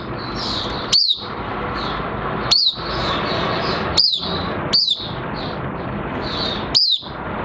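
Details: Oriental white-eye kept as a songbird and in minor moult sings clear, sharply falling high notes at irregular intervals of one to two seconds, with faint twittering between and steady hiss in the background.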